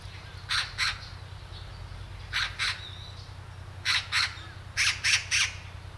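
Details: A great spotted woodpecker at Hanbam village, Daeyul-ri, Bugye, Gunwi, Gyeongbuk, Korea, gives harsh, scratchy call notes in quick pairs and triplets about a second apart, over a steady low mechanical hum.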